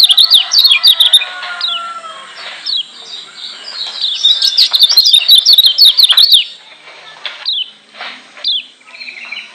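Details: Lombok white-eye, a yellow bird kept as a trainer, singing to provoke other white-eyes: a loud, fast, busy twittering of bright chirps and quick rising and falling notes, pausing near the end with a few scattered chirps.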